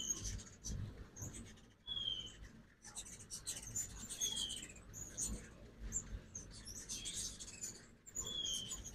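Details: Ruby-throated hummingbirds at a feeder on a fall migration morning in Oxford, Mississippi, producing dense, high, sputtering twitters and sharp chips in repeated bursts, with a few brief clear whistled notes and steady low background noise.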